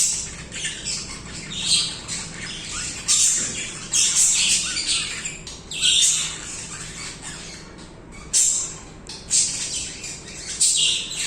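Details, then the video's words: Pet budgerigars singing and chirping continuously: bursts of scratchy, high warbling chatter with squawks, rising and falling every second or two, with brief quieter gaps between phrases. "Budgies singing/chirping"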